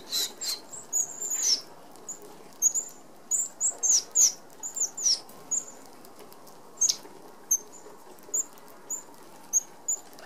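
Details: Red-browed Finches, native to Australia, feeding together at a mesh open aviary feeder; a run of thin, high, piping peeps early on, thinning out to isolated soft high notes amid faint rustling.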